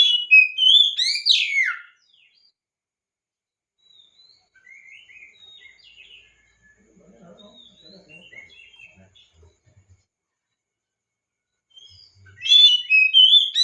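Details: Oriental magpie-robin song played as a 'pancingan' to get quiet or mute kacer singing: a loud burst of whistled, tumbling notes, then a long stretch of soft scattered chirps and faint low murmurs, before another loud rich phrase at the end.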